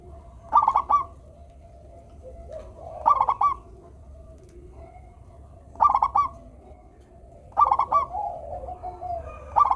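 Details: Melodious local zebra dove song for coaxing lazy doves: five clustered bursts of rapid trilling coos spaced about two seconds apart, with faint cooing between.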